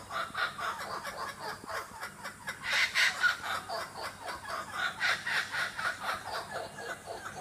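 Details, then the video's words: Laughing kookaburras in the Australian bush cackle in a rolling chorus of hoarse, chuckling notes, about four a second, swelling loudest midway before settling into steady chuckles. "Laughing Kookaburras"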